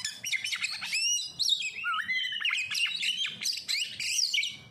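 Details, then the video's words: Caged oriental magpie-robin kept as a songbird, singing a dense, varied run of sharp whistles, fast chirps and sliding notes, mostly high-pitched and nearly continuous, with a low background hum. "Pancingan Kacer langsung auto gacorr"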